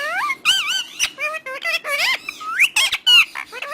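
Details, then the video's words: Rapid speech-like chatter from a talking parrot, high wavering syllables and glides packed tightly together with a few sharp clicks. "Romeo One Of The Best Talking Parrot"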